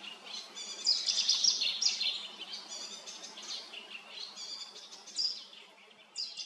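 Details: Cetti's warbler at Lake Kerkini, Greece, 2022, hidden in bushes, bursts out with a sudden, loud, high phrase of rich ringing notes, followed by softer chirps over a low steady hum.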